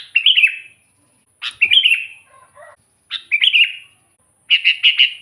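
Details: Sooty-headed bulbul song used to lure wild birds: repeated short warbled phrases opening with a sharp note, roughly every 1.5 seconds, ending with a quick series of clipped chirps.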